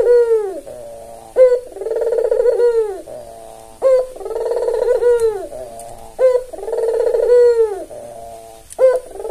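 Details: Captive white, red-eyed albino Barbary dove calling as a lure bird: a short upward flick followed by a drawn-out, deep, purring coo, the cycle repeating four times at a steady pace.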